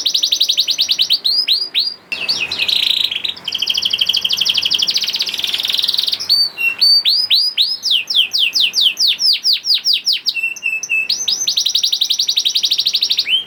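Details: Young canary (kenari paud) singing, meant to lure silent canaries to sing along; long varied song of rapid trills, harsh buzzy rolls and strings of swooping whistled notes, loud and continuous.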